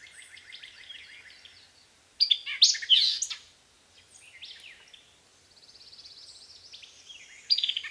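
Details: Singing white-eyed vireo recorded in 2010 at Land Between the Lakes, Kentucky. A quick, emphatic burst of sharp chips and slurred notes stands out, while fainter buzzy trills and high, thin notes from other birds fill the background.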